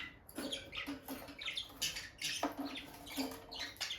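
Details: Two pet peach-faced lovebirds, a bonded male and female near the nest box: softer scattered chirps and squeaks at an uneven pace, with faint low clicking and rustling between calls.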